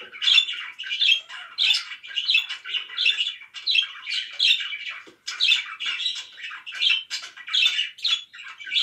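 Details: Budgies calling loudly indoors with rhythmic, harsh chirping squawks repeated over a second apart, forming a steady scratchy chatter with one short gap.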